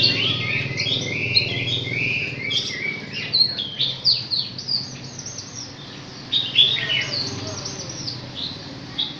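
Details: Chinese hwamei aged six months pouring out a fast, jumbled run of varied chirps, trills and short whistles, uneven in rhythm, with soft low background hum.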